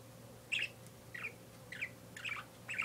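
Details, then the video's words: Pet parakeet making sharp chirped calls, five bright notes spaced roughly every half second, with a faint steady hum behind. "My Parakeet Making Noise"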